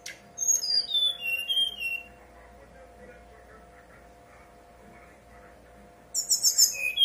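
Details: Brown-chested jungle flycatcher singing a 'nyuling' lure song meant to prompt other birds to sing: a burst of high, thin whistles sliding downward in steps, a long quiet gap, then a dense buzzy high phrase at the end, with a steady low electrical hum.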